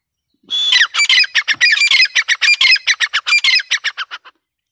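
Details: Grey francolin (teetar) in breeding season, close and loud: a rapid series of about twenty harsh, screechy notes over four seconds, with no other notable sounds.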